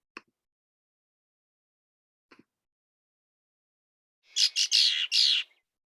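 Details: A female Red-winged Blackbird gives her aggressive song, used to drive another female from her territory: a harsh, buzzy burst of four rasping notes in about a second, after two faint clicks.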